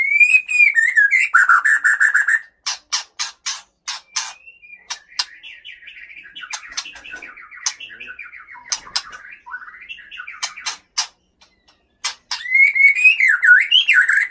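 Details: Male white-rumped shama from Bahorok in the Leuser mountains, Aceh, a fighter-type bird that sings its mimicked fill notes more aggressively against an evenly matched rival. Loud rising whistles open and close a long jumble of rapid buzzy, chattering phrases with sharp clicks.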